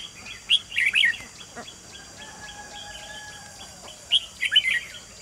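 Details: Red-whiskered bulbul used as a lure bird to trap wild bulbuls, recorded 28 June 2020: two lively warbled bursts of chirpy slurred notes separated by a few seconds, with faint steady tones and hiss between.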